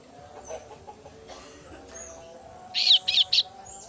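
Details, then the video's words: After quiet faint whistles, a female kasu-kasu chick bursts into three rasping begging calls in fast sequence, calling for its parent. "suara anakan burung kasu kasu betina memangil induk nya"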